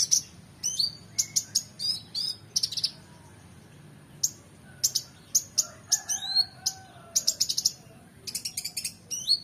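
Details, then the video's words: Oriental magpie-robin singing energetically to train competition birds: clusters of piercing high notes and downslurred whistles, then softer low drawn whistles, followed by renewed rapid chattering bursts. "KONIN GACOR EMOSI FULL BONGKAR ISIAN MEWAH‼️Cocok Untuk Masteran Burung Lomba"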